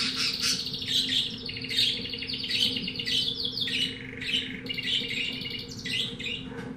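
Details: A pet-shop canary of unknown type (owner unsure whether timbrado, criollo, etc.) sings a fast, continuous run of bright trills and chirps, phrases shifting every second or so, over a steady low electrical hum.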